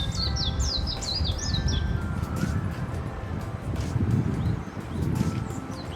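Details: Warbling White-eye by a riverside walking path: a short burst of high, thin descending chirps in the first two seconds, then near quiet with low background rumble and a faint steady tone.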